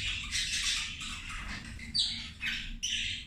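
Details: Feeding zebra finches: harsh nasal buzzy calls in overlapping bursts, with a few clearer high chirps standing out, over continuous flock noise.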